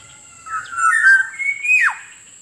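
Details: Whistled black-naped oriole phrase played to attract wild birds: smooth notes rising in steps, ending in a sharp plunging swoop, with a faint constant high tone behind.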